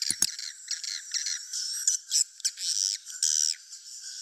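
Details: Swiftlet roosting lure sound, described as good quality: two sharp clicks open the recording, then dense rasping chirrups and buzzy twitters run on, with a thin high whistle threading through.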